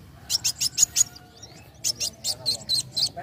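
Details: Young sunbird song used to spur other birds into singing: two runs of quick, high, sharp chipping notes, about five per second, separated by a brief pause with a faint thin whistle.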